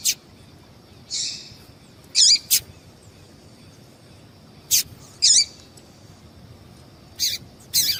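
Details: Female yellow-bellied seedeater giving calls meant to excite males. Short high chirps and brief buzzy notes come irregularly, roughly three per ten seconds, some as quick doubled notes, over a quiet background.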